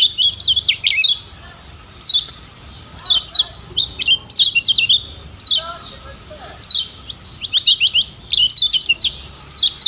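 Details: Lombok lemon-bellied white-eye song meant as a training recording for kept birds. Lively runs of sharp, high descending chirps come in rapid bunches separated by brief silences, with a soft lower twitter near the middle.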